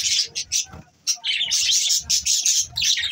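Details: Morning budgie flock chatter, high-pitched warbling chirps and squeaky notes running almost continuously, broken by one short pause early on.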